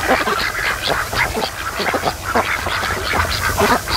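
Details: Laid-back flock of ducks spending the afternoon at a lake where a creek flows in, dozing between bouts of mating; constant rough, overlapping quacks from many birds, with no pause.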